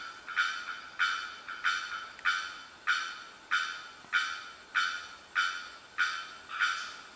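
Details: A bearded bellbird at the Asa Wright Centre, Trinidad, gives about eleven loud, hard, clanging 'bock' notes, evenly spaced roughly every 0.6 seconds, against a faint background hiss.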